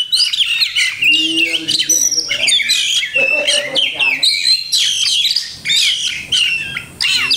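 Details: Oriental magpie-robin (kacer) singing a song rich in masteran, phrases copied from other birds. Fast, varied whistles and buzzy chirps in quick bursts with short pauses, some lower chattering notes between them.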